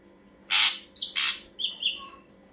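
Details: Ashy drongo song as a bird lure: a loud broad rasp, a short bent whistle, a second rasp, then two clear level whistled notes in quick succession.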